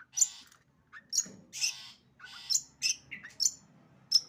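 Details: Long-tailed shrike singing a 'sembur' style song: sharp high chirps and harsh buzzy bursts, spaced irregularly with short gaps, with faint low hum underneath.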